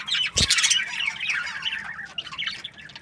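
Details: Australian budgies give quick, rapid chirps and wavering warbled squeaks, several birds chattering together, opened by a loud sharp knock-like burst.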